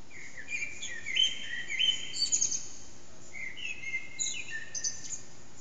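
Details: Around 4:30am a hidden Eurasian blackbird sings in an echoing backyard, phone-recorded on an HTC Desire; two clusters of melodious whistled phrases topped by high twittering, separated by a short pause.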